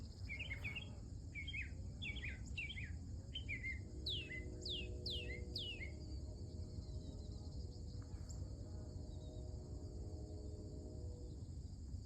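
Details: Early-morning mockingbird song: a run of quick chirped notes, then loud sweeping downslurred whistles repeated several times, then quieter; a constant high insect-like whine and low hum sit underneath.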